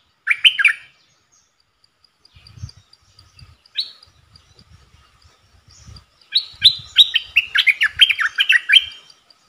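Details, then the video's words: Four decoy bulbuls calling, recorded 31 July 2021: a brief gurgle, then a rapid, excited run of bright, bubbly chirps, with soft low thumps and knocks in between. "เสียงต่อนกดอกแตงEp.68 เสียงต่อจากป่าจริงๆ นกต่อ4ตัว!!! Suara merbah lekir gacor"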